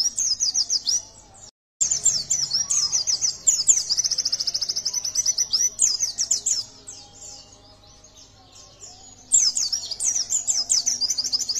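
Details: A yellow-breasted white-eye, played as a lure to stir other birds into singing, pours out a rapid, high, thin twittering song in long run-on bursts, briefly cut off once, over a faint low hum.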